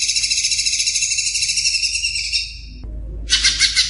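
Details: Male greater green leafbird song meant for training young birds: a dense, rapid, high buzzy chatter held for over two seconds, a short break with low hum, then another fast harsh burst.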